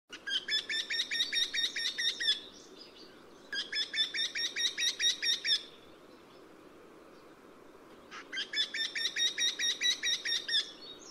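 Eurasian wryneck singing three runs of about fifteen quick, nasal, plaintive notes, each run lasting two seconds, over a soft low background hum.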